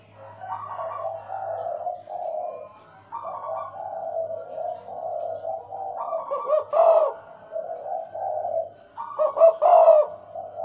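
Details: Stuttering 'gagap' cooing from a tame, frequently calling spotted dove (tekukur): soft drawn-out coos broken into jerky segments, louder burst near the end, with a faint low steady hum behind.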